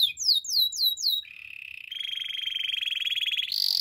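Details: A Spanish Timbrado canary gives several looping falling whistles, then a long, steady, low metallic roll that grows louder, and finishes on a sudden high note.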